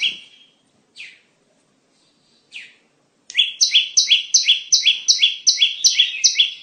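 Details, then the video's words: Bar-winged prinia lure song for bird trapping, opening with a few scattered, separate thin notes and silences, then breaking into a quick, regular string of ringing double-pitched chirps. "Pikat Burung Ciblek"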